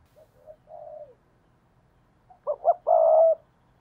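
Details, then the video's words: Decoy spotted dove giving prompting and calling coos, recorded 2022: a few soft low coos, a pause, then a louder run of two short coo notes and one long, steady drawn-out coo. "Chim Cu Mồi Thúc Và Gáy Gọi"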